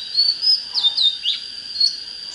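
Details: Oriental magpie-robin giving brief whistled notes and short buzzy slurs in a quick sequence, partly blending into a steady high electronic tone.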